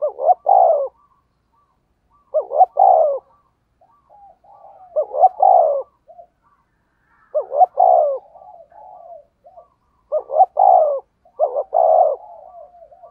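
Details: Decoy-style spotted dove cooing in the fast rustic 'thúc gù' manner. Six or so phrases repeat at uneven intervals, each a pair of short upswept notes leading into a longer falling coo, with soft trailing cooing between.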